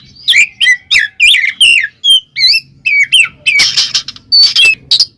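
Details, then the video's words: Oriental magpie-robin (kacer) singing in the loud ngeplong style to call a rival and provoke other males: a string of short, sharp whistled and slurred notes with chattering bursts, packed densely over five seconds. "suara burung Kacer NGEPLONG memanggil lawan bikin emosi Kacer lain"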